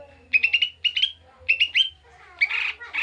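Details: Koto or cucak mini bulbul singing agitated ngamuk song for luring: three quick stuttered groups of three or four whistled notes, each sliding into a thin trailing tone, then a rasping burst.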